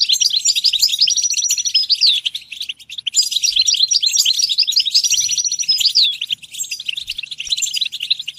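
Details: European goldfinch singing for encouraging goldfinches to sing: two long, unbroken runs of liquid twittering with interwoven whistles, separated by a short dip, all high and tinkling.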